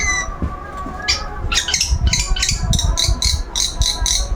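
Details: A long-tailed shrike at its routine sunbathing delivers a quick series of harsh, buzzy notes, about four per second, over low rumbling background noise.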